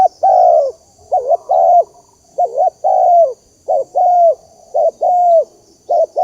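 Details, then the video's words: Spotted dove used as a lure to provoke others: rapid, continuous low cooing, alternating quick wavering notes with longer drawn-out coos that fall slightly at the end, with no pause over the whole stretch. "Tiếng chim cu gáy kích bổi"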